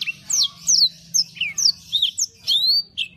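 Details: Canary (kenari) in lively song, a quick run of sharp descending whistled notes and chirps ending in a long rising sweep, all high-pitched with a low background hum.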